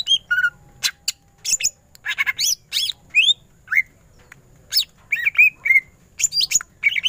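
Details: Greater green leafbird in busy ngentrok-style song: varied buzzy chatters, looping whistles and quick slurred notes, delivered in irregular bursts with short gaps.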